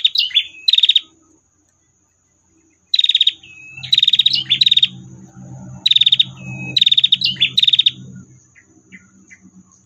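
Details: A female prinia gives long "tir" calls: bursts of rapid, dry, ticking trills, high-pitched and repeated every second or two, over a steady thin whine and a low rumble.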